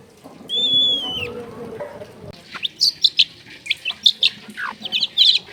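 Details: Long-tailed shrike in energetic, clear song rich in mimicry: one long level whistle, then a rapid jumble of high chirps, twitters and short buzzy notes.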